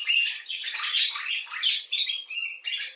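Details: Common bulbul (Pycnonotus barbatus) giving harsh, scratchy, squawking chatter in almost unbroken bursts over three seconds. Individuals were either rescued birds in care or wild birds.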